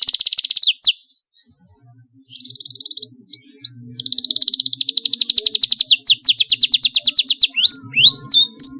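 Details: Canary song meant to prompt young birds to start singing: a steady rapid trill, then a pause and short fragments, then a long rolling trill of repeated pulses ending in rising and falling chirps.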